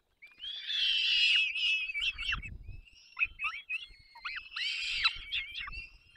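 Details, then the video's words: Young peregrine falcons begging as their parents bring food, Dolina Baryczy, Poland, 3 May 2024: two loud bursts of hoarse, buzzy squealing around a thin drawn-out whine, with soft scuffling in between. "Zdenka i Borek karmią pisklaki 3 05 2024 sokoły wędrowne"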